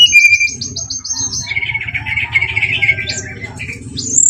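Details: Brown-chested jungle flycatcher song used as a lure to make rivals aggressive: a quick series of high repeated notes, then a long warbled phrase and a sharp upward whistle at the end, over a steady low hum.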